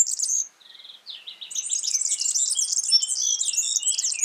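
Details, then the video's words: Wild yellow-fronted canary in lively song: a short high phrase, a run of repeated lower trill notes, then continuous fast, bright twittering mixing chattering and sweet whistled notes. "Suara burung Mozambik gacor di alam"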